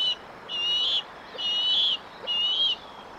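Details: An 11-week-old bald eagle at the Decorah nest gives four high, thin whistled notes about 0.8 seconds apart, with faint hiss, on 24 June 2023, the first day it branched off the nest.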